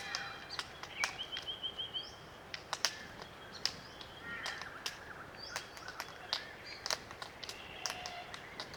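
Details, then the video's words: Small flock of glossy black cockatoos feeding on Allocasuarina cones, Macleay River valley bush, New South Wales, Australia. Dense, irregular sharp clicks from feeding dominate, with brief short calls in between. "Glossy Black Cockatoo Sounds - Creaky calls & clicking sounds while feeding"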